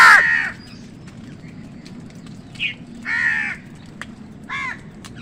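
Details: Crows fighting other wild birds for food: a loud opening caw, then two further harsh caws spaced about 1.5 seconds apart, with quiet hum between.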